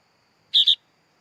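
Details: Sooty-headed bulbul nestling uttering a single loud, scratchy two-note call, the notes nearly run together, against a quiet background.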